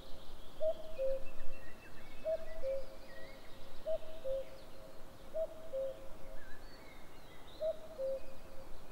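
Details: A common cuckoo repeats its falling two-note cu-coo about every one and a half seconds, five times, at 07:06 on 11 May 2022, over a steady low rumble and faint distant birdsong.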